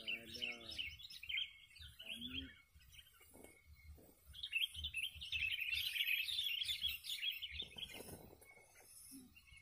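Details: Decoy sooty-headed bulbuls in a fighting match at a Palag Liwa community contest give bursts of quick, bright, jumbled chirps. Some bursts stretch into long chattering runs. Low, voice-like sounds and dull knocks are heard between them.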